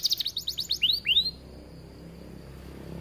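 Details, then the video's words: Canary song meant to set other canaries singing: a short burst of fast high descending whistles ending in two longer rising-falling sweeps, followed by near silence with faint background hiss. "Kenari gacor bikin kenari lain ikut emosi"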